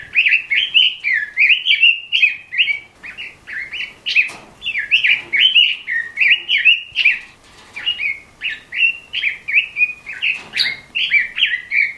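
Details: Red-billed leiothrix (Leiothrix lutea) singing a fast, unbroken warble of short bright notes, several per second, with a few sharp clicks in between; recording used for training or stimulating other songbirds.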